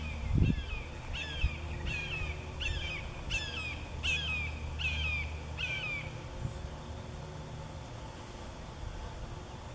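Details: An adult red-shouldered hawk calls from above its pre-first-flight juveniles perched near the nest above Bonsall: about eight loud, down-slurred screaming 'kee-ah' notes, roughly one per second, over a low rumble of wind or distant traffic.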